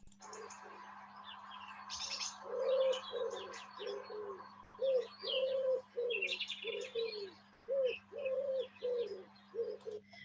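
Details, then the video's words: Common wood pigeon song in a garden: deep, soft, husky coos in rhythmic five-note phrases, likened to 'Woodpigeon, pigeon', repeated steadily, with thin chirps from other small birds and a faint electrical hum behind. "So it sounds like he's going 'Woodpigeon, pigeon , Woodpigeon pigeon'."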